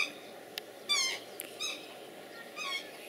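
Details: Black swan pair courting in December in Germany, keeping their Australian breeding rhythm and synchronising behaviour before pairing; bright harmonic bugling notes with a wavering, slightly falling tone, one long call followed by shorter ones.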